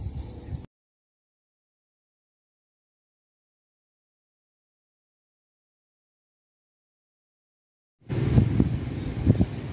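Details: A brief burst of noise, then about seven seconds of silence, then low rumbling noise; no animal sound.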